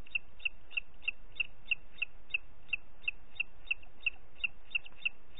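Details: Evenly spaced, piercing high whistles from a booted eagle, about three each second, sixteen in a steady row. Recorded in Parc Natural dels Ports on 30 June 2021 at 11:01 against a calm, quiet backdrop.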